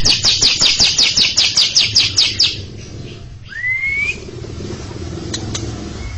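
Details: Greater green leafbird, kept bird, chattering in front of a younger bird: a quick series of about fifteen harsh repeated notes, then a clear rising whistle, with low background rumble.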